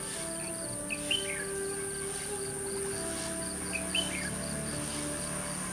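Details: Red-whiskered bulbul used as a decoy while trapping wild bulbuls on 21 November 2015; two short whistled, warbling phrases about three seconds apart over a steady high insect drone, pulsing insect chirps and low humming tones.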